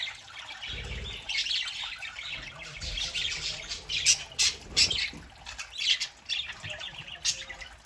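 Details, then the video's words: A group of pet parakeets chatters on a Saturday morning, a continuous scratchy warble that turns into a series of loud, clipped squawks in the second half. A few low thumps sound in the room. "Parakeets Saturday morning"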